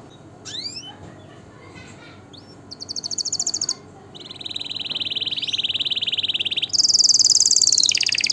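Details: Canary song for breeding stimulation and tutoring young: scattered soft chirps, then a high rapid trill, a brief gap, a long low buzzy roll, and finally a loud, high, sustained trill.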